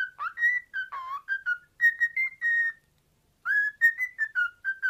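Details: Caged pet cockatiel, a male, whistling a radio theme tune he loves to sing: runs of clear mid-pitched whistles, some slurred and wavering, then a pause of about a second before another run of steady notes.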